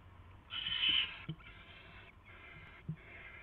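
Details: Barn owl at the nest on 22 January 2016 at 10:22 PM as a mouse is brought in; one loud, harsh hissing screech followed by three softer, breathy hiss bursts, with faint low thumps beneath.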